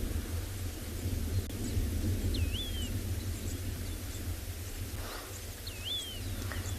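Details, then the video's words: A flock of European bee-eaters flying towards the observer gives two liquid, rolling calls about three seconds apart during a sunrise game drive at Tswalu Kalahari Reserve, South Africa, on 22 November, over engine and wind rumble. "You can hear some European bee-eaters flying around in the background. You can hear that gorgeous call of a whole flock of them coming towards us."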